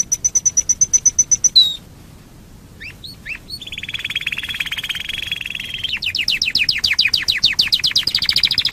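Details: Domestic canary singing as a lure to make other canaries sing: a steady high whistled trill, then hooked notes, a long buzzy rolling trill and a fast run of repeated sweeping notes.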